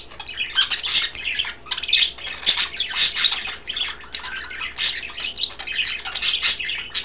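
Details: Green, blue and white pet budgerigars enjoying kale produce near-continuous chattering: rapid scratchy warbles, squeaks and chirps overlapping from several birds, slightly louder in the first half.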